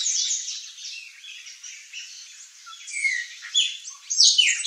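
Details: Palm tanager, a rapid jumble of thin squeaky notes and brief sliding whistles that grows louder toward the end.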